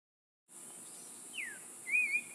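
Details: Clay-colored thrush singing in Costa Rica in May 2013: two clear whistled notes, a falling slur then a short warbled phrase, over a steady high insect-like hiss.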